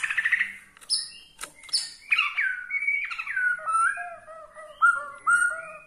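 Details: White-rumped shama of the Borneo type whose song is said to anger rival shamas: sharp clicks and high notes, then a cascade of slurred whistles gliding downward into lower, steady tones.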